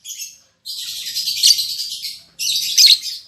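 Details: A just-paired albino MM male and lutino MM female lovebird in captivity give a short chirp, then a long steady high chatter and a second loud burst.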